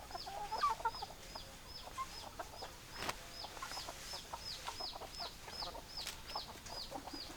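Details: Hens clucking in low, short bursts, overlaid by a steady series of high, thin, downward-sliding peeps repeated roughly every half second; no crowing heard.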